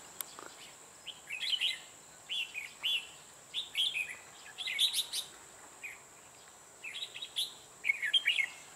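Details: Red-whiskered bulbul sings 'ché' style during bird trapping: short bubbly, whistled phrases repeated every second or so with brief gaps and a faint click near the start, set against a continuous high whine.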